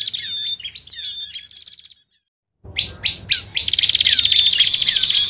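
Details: Noisy Bar-winged prinia lure call used to attract prinias: rapid, sharp, high chirps and scolding trills, several per second, broken by a brief silence before resuming more intensely.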